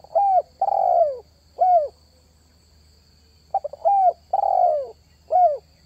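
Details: Spotted dove luring call: an arched coo, a long descending coo and another arched note, then silence before the phrase repeats with quick introductory notes. A steady high hum stays in the background.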